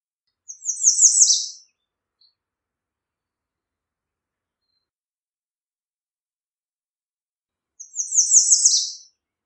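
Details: American redstart song, one of several variations: two high, rapid phrases of sweet thin notes accelerating to a downslurred end, spaced about seven seconds apart in silence.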